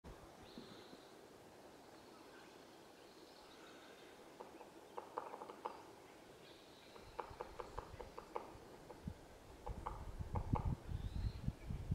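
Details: Woodpecker busily working on a tree while hiking in Annadel Park, Santa Rosa, California, on 27 April 2024; bursts of dry, rapid tapping in short irregular runs, with soft outdoor background and low rustling.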